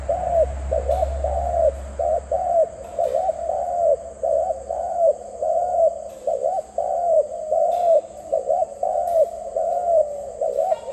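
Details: Zebra dove cooing steadily for eleven seconds: a dense string of brief bouncing notes, rising and dropping, nearly back to back, over a constant high-pitched hum and a low rumble at the start.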